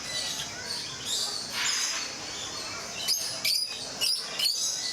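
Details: Group of rosy-faced lovebirds in Mysore Zoo giving shrill, high chattering, with several sharp, squeaky chirps bursting out near the end over a steady background twitter.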